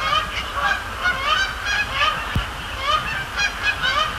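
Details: Canada geese at night on Sapsucker Woods Pond, clear harmonic honks repeated in quick succession by several birds, a faint click midway and low hum beneath.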